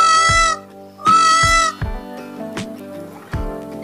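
A peacock gives two loud, nasal, strongly harmonic wails about a second apart, over a backing of music with soft drum beats.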